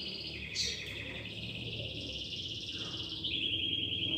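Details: Domestic canary singing along to a recorded song played for training: dense rolling trills with a quick rising note near the start, ending in a sharp repeated chattering trill over faint background hiss.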